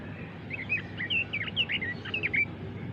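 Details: A short, rapid warbling phrase from a Pekin robin, bright slurred notes rising and falling in quick succession, over faint low background rumble.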